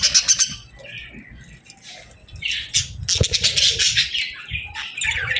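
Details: Budgerigars chirping softly together, with dense overlapping high chatter, squawky notes and trills, and occasional wing flutters.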